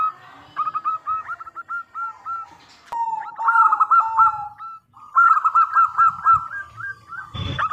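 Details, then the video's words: Local zebra dove song used as a lure to draw answers from other doves: strings of quick hooked coos, with a lower sustained cooing note overlapping in the middle and a sharp knock at the close. "Perkutut Lokal Gacor Suara Super Kristal - Pancingan"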